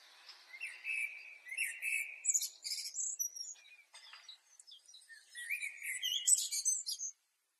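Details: Blackbird from Asia singing: a varied phrase of scratchy, chirping notes, with a warbled run near the start, bursts of high twitters and short pauses, and a second busy burst near the end. No other sounds intrude.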